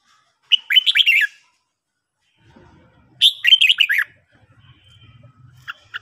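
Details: A red-whiskered bulbul sings at morning, giving two rich warbled phrases of quick descending whistles about two seconds apart, then a brief note at the end; soft low rumbling noise between phrases.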